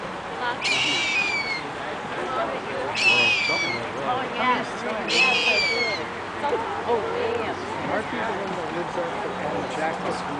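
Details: Harpy eagle at San Diego Zoo: three thin, high descending screeching calls, each about a second long, spaced a few seconds apart, over a steady background of people talking and crowd noise.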